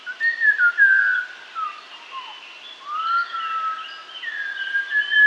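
A Malabar whistling thrush sings a rambling run of clear, human-like whistles, sliding up and down and pausing between phrases, over quiet forest background.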